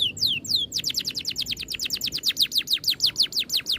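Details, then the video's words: Bird song used as training material, billed as tight rolling with neat bursts: two descending whistled sweeps, then a fast run of about fifteen steep downslurred notes repeated several times a second, loud and even. "MASTERAN BURUNG NGEROL RAPAT TEMBAKAN RAPI"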